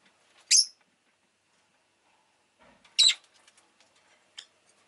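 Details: Rosy-faced lovebird chirping, two loud harsh high-pitched calls about two and a half seconds apart, then a faint short note; quiet background.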